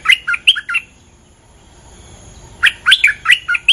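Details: Bulbul lure song, with a territorial resident bird said to leap in: two bursts of quick, bright chirped notes, each about five notes over under a second, separated by a long quiet gap, clean background.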